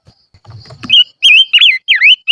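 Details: Lure song of a silver-eared mesia used as a decoy: after low rustling and knocking, loud wavering whistles rise and fall in quick, slurred phrases.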